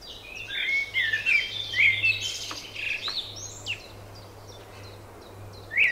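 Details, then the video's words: Spring birdsong: warbling, twisting phrases in the upper-middle range mixed with rapid higher chirps from more than one bird, bursts of song coming and going over a steady low hum in the background. "Wiosenny śpiew ptaków"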